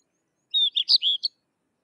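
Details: Sykes's lark delivers a brief phrase of five clear, high notes: a drawn-out whistle, then quick chirps and a final short note. The background is silent.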